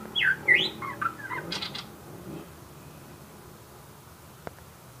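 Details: White-rumped shama giving a brief burst of loud, rich whistled and slurred phrases over about two seconds, followed by near silence with a steady background hiss and one faint tick.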